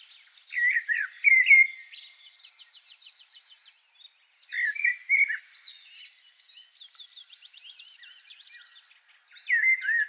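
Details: Blackbird in song, alternating short, rich, flute-like warbled phrases with long, soft, high-pitched chattering twitters. The mellow phrases return roughly every four seconds against a quiet background.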